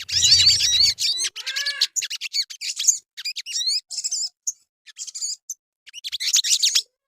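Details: Lure song of the crimson sunbird for prompting birds to sing: an intense high twittering burst, then scattered sharp chips and short trills with several silent gaps, ending in another dense flurry.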